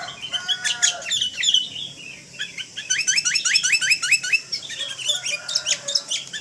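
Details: Sooty-headed bulbul in a full-isian training song recording, described as very vocal: busy, overlapping chirps and warbles, including a series of about eight quick, upslurred notes repeated in a row.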